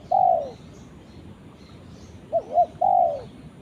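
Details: Spotted dove calling to its companion: a long, mellow downward-sliding coo, a pause, then two quick short coos and another long falling note, low and hollow over light hiss.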